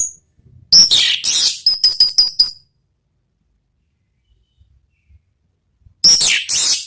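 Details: Orange-headed thrush in ngeplong-style song: a loud, bright run of clipped, ringing high notes repeated quickly for nearly two seconds, silence, then another shrill, buzzy burst.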